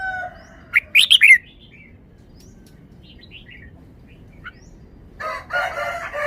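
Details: Caged red-whiskered bulbul shown for its fine song phrasing: a quick burst of bright whistled notes near one second, scattered softer chirps after, then a rough noisy burst near the end over a low steady background hum.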